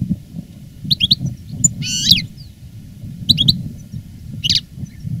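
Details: Veteran caged European goldfinch, a master singer, recorded live after the moult: paired sharp chirps and one buzzy twittering burst, separated by pauses, with a constant low background hum.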